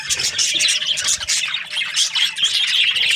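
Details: Morning chatter from a group of budgies: busy, overlapping high chirps and scratchy warbles packed together without pause, with a few brighter whistled notes near the end.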